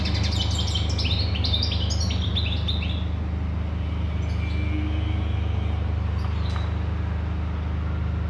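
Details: European goldfinch (Carduelis carduelis) song: a quick, tinkling burst of twittered high notes for about three seconds, then a few scattered chirps, over a steady low engine-like hum.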